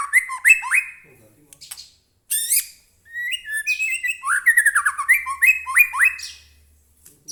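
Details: Caged White-rumped shama pouring out song: rapid chattering notes, slurred falling whistles and repeated trilled phrases, separated by short pauses.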